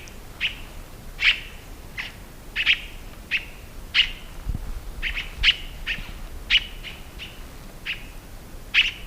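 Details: Scarlet-throated Tanager delivering a long run of sharp, bright notes, about fifteen in nine seconds, irregularly spaced, with a brief low thump midway.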